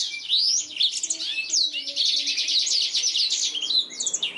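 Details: Energetic song of a black-throated canary, used as a master recording to teach canaries; rapid, continuous high trills and buzzy twitters interwoven with quick rising and falling whistles.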